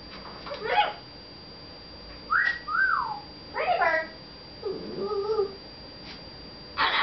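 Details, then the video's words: Pet red-fronted macaw indoors talking with its owners; harsh speech-like syllables mixed with clear whistled notes, some rising then falling, in short separate phrases over about seven seconds. "red fronted macaw talking"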